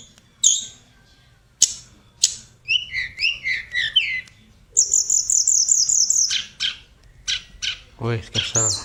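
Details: Tledekan called a vocal teacher, delivering separate sharp chips, then a run of quick twisting whistled notes, a long high rapid trill lasting over a second, and a final burst of descending chattering notes.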